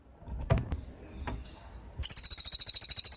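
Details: Cililin song from a training recording meant for tutoring songbirds: after soft clicks and low rustling, a piercing high trill of rapid, evenly spaced chirps, roughly seven per second, begins and continues to the end.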